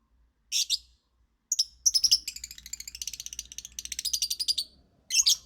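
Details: Lovebird singing, with shrill rasping bursts leading into a long fast chattering trill of rapid buzzy notes lasting over two seconds, ending in another harsh burst.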